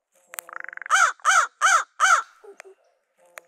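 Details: Crows dive-bombing black vultures on Christmas Day, harassing them to reclaim a lost food pile: a brief dry rattle, then four loud, harsh, hoarse caws in quick succession, followed by a few faint clicks.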